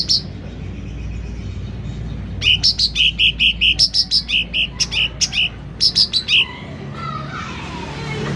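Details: Sooty-headed bulbul in vigorous, loud song: after two seconds of near quiet, a quick run of about twenty clear piping notes alternating between lower and higher pitches, then a rushing, hissy noise at the end.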